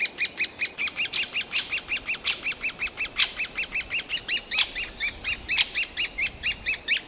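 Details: Great spotted woodpecker nestlings, grown and about to fledge, screeching from the nest hole in a Yekaterinburg forest park on 28 June 2018 to urge parents to bring food; rapid, sharp, repeated calls, roughly four per second, filmed with a Canon PowerShot SX60 HS.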